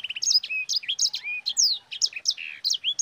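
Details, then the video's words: A sanger, or yellow-fronted canary, sings a sharp rolling song meant as a tutor for other birds: dense bright chirps, falling and rising whistles, and quick buzzy notes packed almost without a break. "Suara Burung SANGER GACOR Ngerol Pedas paling ampuh untuk Pancingan"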